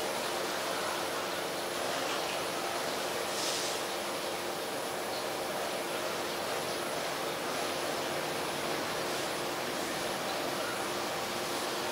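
Steady broadband hiss like rushing water or wind, with no clear animal calls.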